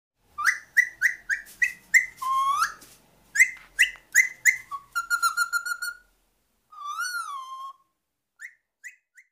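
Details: Hand-tame pet Alexandrine parakeet talking: a quick string of clipped, nasal word-like syllables, then a drawn-out rising whistle, a buzzy trill, a wavering whistled phrase and two brief chirps.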